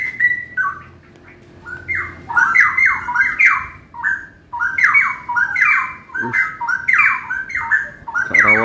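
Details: Mature caged Straw-headed Bulbul (cucak rawa), red-eyed and described as a continuous, ready singer, at a bird kiosk in West Jakarta before being sent to Bogor. It sings loud, rich bubbling phrases of downslurred whistled notes, almost without pause, over a low hum.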